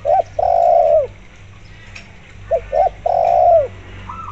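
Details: Spotted dove calling keenly, with local zebra dove sounds used as a lure. Two phrases of short coos followed by a long, smooth low coo that drops at the end. A brief higher zebra dove trill closes the passage.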